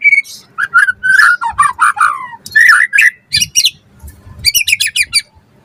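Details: White-rumped shama in full, vigorous song, used as a lure to get other shamas singing: a rich run of mid-pitched warbled and slurred whistles, then a fast series of high ringing chirps.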